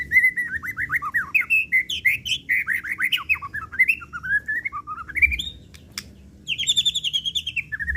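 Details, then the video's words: White-rumped shama in an agitated, emotional song used as a lure to stir other birds, unloading its repertoire: a fast run of varied whistled and slurred notes near the middle of the range, a short pause, then rapid repeated phrases. "Pancingan Murai Pastol Emosi & Bongkar Isian"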